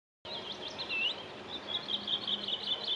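A willow warbler sings a steady run of high, sweet, slurred notes over light background noise.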